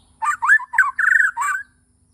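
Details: White-rumped shama from Borneo in the morning giving five harsh, slurred, squawky notes in quick succession, mid-pitched and rather rough.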